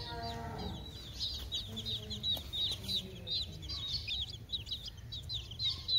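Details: Baby chicks peeping: many short, high, thin peeps repeated irregularly several times a second, overlapping one another, with a low voiced sound at the start and soft background noise.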